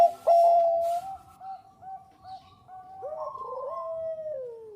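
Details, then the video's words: Bangkok zebra dove singing as a lure: one long level note, then a string of soft evenly spaced hoots, ending in a rising rolled phrase and a descending slur, with overlapping dove calls. "SUARA PERKUTUT BANGKOK GACOR AMPUH UNTUK PANCINGAN"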